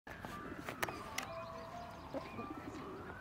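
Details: Domestic pigeon (Columba livia domestica) at Špica, Ljubljana, on 20 March 2023, gives low, murmuring coos with a few sharp claps or clicks, over steady city background noise and thin sustained whistled tones.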